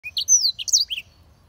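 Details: Black-throated canary singing a short burst of high, sweeping whistled notes and slurred chirps, rising and falling quickly, lasting under a second before quiet; faint low hum underneath.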